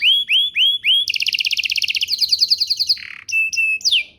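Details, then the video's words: Song of a canary meant to prompt other canaries to answer: four loud arching whistles, then a fast pulsed trill that speeds into a buzzy roll, ending with short level notes and a sliding whistle. "Pancingan Burung Kenari agar CEPAT BUNYI, terbukti ampuh bikin burung kenari lain nyaut"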